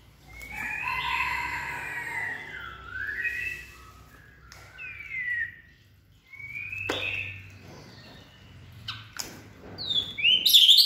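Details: Peak-form white-rumped shama with a steely voice giving separate whistled slurs, some rising and some falling, broken by sharp knocks and clicks, ending on a shrill high flourish.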